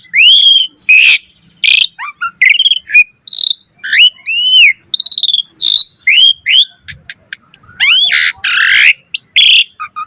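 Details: Jalak suren in fill-rich 'gacor full isian' song used to tutor other starlings: arched and rising whistles, squeaks and harsh rasping bursts in a lively continuous sequence.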